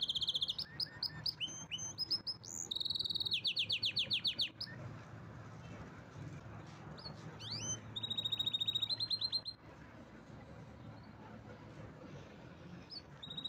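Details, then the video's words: Canary delivering bursts of song: sharp chips and short rapid trills for several seconds, a long quiet stretch with a few scattered notes, then another brief fast trill and faint calls. "Canary's most powerful song"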